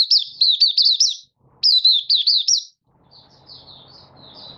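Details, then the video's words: 'Buka sing' opening song from a caged Malaysian Oriental white-eye in light moult, 24 August 2023: two dense phrases of high, zigzagging whistled notes, followed by quiet, sparse twitters against a faint low drone. "Malaysian Mata Puteh Buka Sing"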